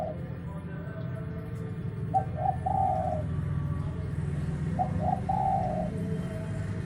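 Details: Spotted dove heard as an untrained lure bird, giving two repeated coo phrases of two quick notes and a longer purring coo, roughly two and a half seconds apart, against heavy low-pitched background rumble.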